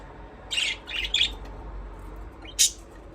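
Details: Budgerigar chirping: three quick scratchy high chirps in a cluster, a pause, then one sharp bright squeak near the end, over faint low background hum.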